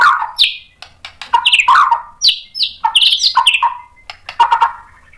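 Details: White-rumped shama stirred into song, delivering harsh chattering bursts mixed with buzzy, slurred descending notes and high sharp accents, phrases broken by short silences.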